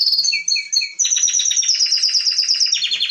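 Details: Singing canary gives a few short paired chirps, then a long, fast, metallic rolling trill that holds its pitch and finishes with a lower buzzy trill.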